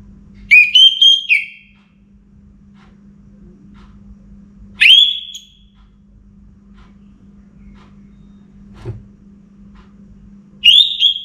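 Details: Orange-headed thrush singing before morning: three separate whistled phrases spaced roughly four to six seconds apart, each rising and warbling briefly, over a steady faint hum with one soft knock in between.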